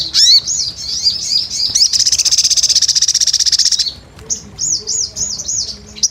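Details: Sogon (crimson sunbird) performing gacor: looping high whistled notes, then a long evenly pulsed buzzy trill lasting about two seconds, followed by a run of arched, repeated high whistles.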